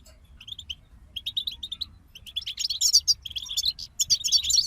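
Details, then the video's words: European goldfinch group song opening with spaced high chirps, then building into loud, rapid tinkling twitters and buzzy trills in the second half, a faint low hum in the background. "King of Songbirds Goldfinch Group"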